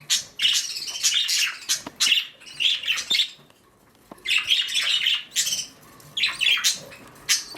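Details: A nesting mother budgerigar on duty chatters in bursts of scratchy, warbling squawks and chirps, broken by brief pauses.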